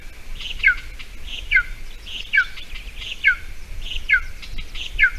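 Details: At a Latvian golden eagle nest, 28 June 2020, 8:46 a.m., during a mouse delivery for breakfast when food was scarce around the bog; high, clear descending notes repeat steadily every second or so, with faint background noise.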